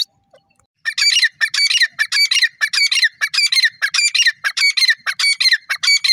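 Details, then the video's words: Francolin, named in Urdu as teeter, calling loudly: a fast series of harsh, ringing, squawking notes repeated in rhythmic bursts about every half second, with strong upper tones and no other clear sounds. "francolin ki big voice, Teeter ki awaaz"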